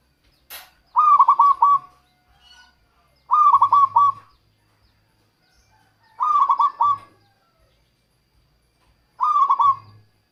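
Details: Local zebra dove song meant to attract wild doves and prompt lazy singers. Four loud phrases of rapid stuttering coos, each about a second long, recur roughly every three seconds in a quiet background.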